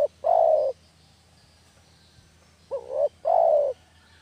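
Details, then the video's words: Cooing of a spotted dove, played as a lure to catch doves: a long falling coo, a pause of two seconds, then a full phrase of a quick double note and a drawn-out coo. "SUARA MASTER PIKAT DERKUKU KAMPUNG..!!"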